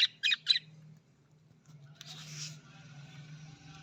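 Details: Australian budgerigar giving three quick buzzy chirps, followed by a soft hiss and a steady low hum.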